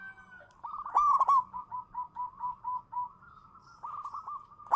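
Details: Local-strain zebra dove in full cooing song, used as a lure: a loud rattling cluster of clipped notes, then a rhythmic run of short rounded coos about four per second, sliding into a steady wavering hum.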